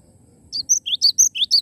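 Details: A live Cinereous tit in full song gives a quick burst of roughly seven bright, high notes in about one second. Thin piercing whistles trade with lower upward-swept notes, and a soft low background murmur sits beneath.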